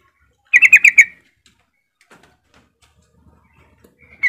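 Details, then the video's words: ['Lure song of a yellow-vented bulbul, meant to prompt other bulbuls to sing: a bright, bubbly run of five quick mid-pitched notes, then near silence with faint ticks and one more loud note at the end.'] "Kicau Suara Trucukan Gacor Full Isian Mewah"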